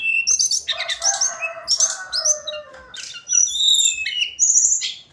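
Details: Tledekan gunung, the hill blue flycatcher, delivering daily song: a continuous mix of high twittering notes, lower warbled phrases and thin upslurred whistles, ending with a sustained high whistle.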